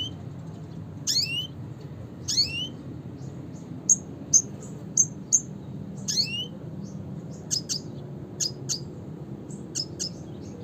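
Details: Red siskin (Spinus cucullatus) in classic call style: repeated rising, sweeping notes alternating with crisp, high single chirps spaced about half a second apart, over a quiet low hum.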